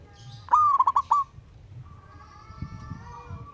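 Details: A wild local zebra dove calls a rival with a single quick phrase, a rising coo broken into four rapid stuttering pulses, then drawn-out faint whistles of other birds.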